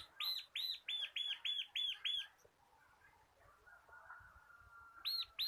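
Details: Bar-winged prinia, local crystal cotton-white cage bird used as a singing tutor, gives a fast string of about seven clipped, arched high chips, then quiet with soft distant whistles before two more chips return.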